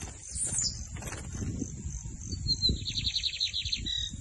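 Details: Lined seedeater delivering a torneado phrase: a thin introductory note, then a quick buzzy trill of closely repeated notes for about a second, ending in a brief lower tone, against a steady whine and rumbling noise.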